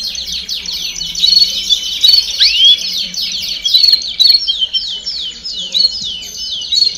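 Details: Group of canaries singing at once, played to encourage young birds to start singing faster. A high, busy stream of overlapping trills and fast chirps, loud pulses about every half second, and one swooping whistle early on.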